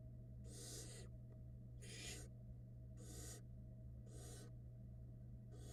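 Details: Barn owl nestlings, small and fluffy, being fed by their mother in a Florida nest box: five rasping, airy hisses, each under half a second, repeated roughly once a second over a constant low hum.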